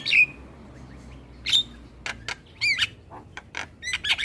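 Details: Asian pied starling song played each morning as a model for young birds to learn: a few sharp whistled notes and scratchy chirps spaced by short pauses, with a faint low hum behind.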